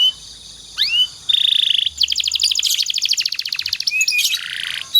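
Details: Canary master song for teaching other canaries to sing long and steadily. Upslurred whistles lead into a steady buzzy note, then a long run of rapid pulsed trills and a closing buzzy phrase.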